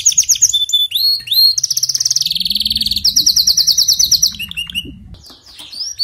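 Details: Canary song of whistled upward sweeps leading into long, evenly pulsed high trills, each phrase lasting about a second, ending with thinner scattered notes.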